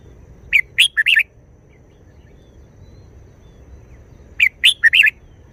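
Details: Red-whiskered bulbul singing a clipped wild-style phrase of three or four chirpy, warbled notes, then repeating it almost four seconds later, over a low steady hum.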